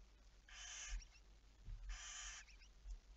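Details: Barn owl at night on 11 May 2019, 23:34: two steady, wheezing, hiss-like screeches, each lasting about 0.7 seconds and spaced about 1.5 seconds apart, with low rumbling bumps underneath.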